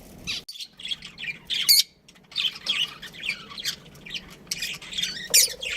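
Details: Pet budgerigar twittering in a lively chatter of scratchy chirps, squeaks and harsher squawk-like notes, broken by a couple of brief pauses.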